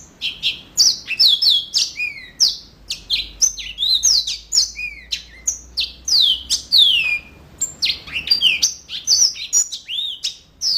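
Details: Continuous, busy song from a yellow-fronted canary: fast runs of high, sweet descending whistles and sharp chirps, tumbling almost without pause, with a faint low hum underneath.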